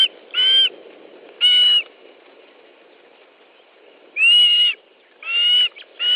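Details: Osprey nest in Estonia during a fish delivery, 13 July 2013 at 17:58: five slurred whistled calls in two bursts separated by a two-second lull, with a steady low hum behind.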